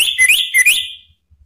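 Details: Orange-headed thrush male, called anis merah locally, answering spontaneously in a bold ngeplong style, played to coax silent birds into song. One short, loud burst of bright whistled notes that quickly fades.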